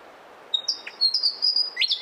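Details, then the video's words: Willie wagtail singing a short phrase of high, sustained whistles linked by brief chips, finishing with a sharp upward-sliding note. "Natural Birds Voice, Bird Natural Sound.Willie Wagtail"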